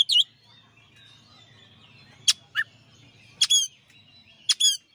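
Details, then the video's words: Champion Oriental magpie-robin (kacer) tutor song: sparse, loud, high, sharp chip and whistled notes separated by pauses of about a second, with a faint continuous thin whistle and a low hum beneath. "masteran suara kacer juara"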